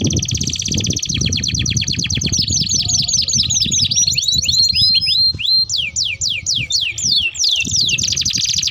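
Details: Canary in a long rolling song used to lure and tutor young canaries; buzzy sustained rolls shift into sequences of rapid sweeping notes and then slower, separated downslurs, with background rumble.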